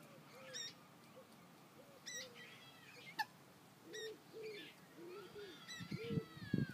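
Common moorhen chicks give sharp, high peeps about every second or two, over soft, low, arched calls and a faint background rumble.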